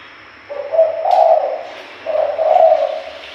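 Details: Spotted dove lure call used to draw in birds, with two low cooing phrases, each a soft rising note running into a longer hum, over a faint hiss.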